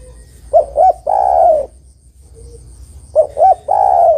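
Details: Female spotted dove calling the male: two short, quick coos followed by one long, drawn-out, slightly wavering coo, with the phrase given twice about three seconds apart over a faint steady electronic whine.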